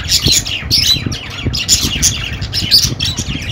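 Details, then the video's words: Budgies calling in quick succession, short buzzy squawks and rasping chirps about every half second, bright and grating, over a low background hum. "Budgie Sounds for Lonely Budgies"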